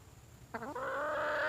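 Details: Red junglefowl hen calling for a mate: a short harmonic note sweeps upward, then becomes a long, steady, nasal tone held to the end over faint background hiss.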